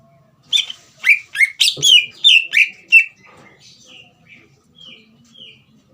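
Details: Caged green leafbird singing to provoke a young bird into song: a burst of loud, sharp downslurred chirps over about three seconds, trailing into soft, distant whistled notes.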